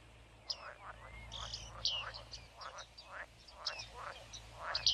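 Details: Bearded reedlings living in reeds, giving their recognizable ping calls: short, high, metallic notes scattered irregularly over a few seconds, some doubled, over a low steady hum and faint background rustle.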